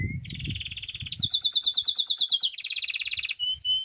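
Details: Belgian canary, a domestic canary, performing in a singing competition: a fast pulsed roll that jumps to a higher, louder rattling trill, drops back to a lower even roll, and closes with a drawn-out clear whistle.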